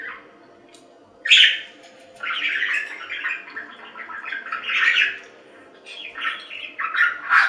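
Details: After a quiet start, a budgie gives a sharp chirp and then a rambling run of softer, gravelly warbles and squeaks that rise and fall in loudness.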